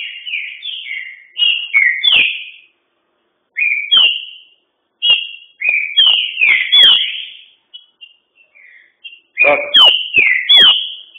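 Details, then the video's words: Green-winged saltator in a fast, vigorous song; repeated loud phrases of clear slurred whistles, rising and falling, with short pauses and a few faint soft notes between phrases. "Trinca ferro Bandido dando show."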